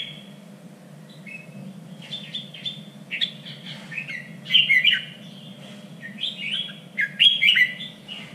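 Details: Red-whiskered bulbul song for contest training, in a standard three-region voice: varied slurred whistles building to two loud, sharp warbled bursts a few seconds apart, over a low steady hum.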